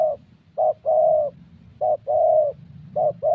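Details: Young 'thổ' Spotted Dove at a decoy session in Gia Lai, Vietnam: three phrases of a brief note and a longer smooth coo, over low background rumble.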